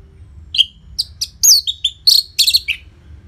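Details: Loud song of a caged orange-headed thrush, used to get other birds singing: a string of separate high chips and short whistles, one long downslurred note, then clustered buzzy notes and a lower final chip.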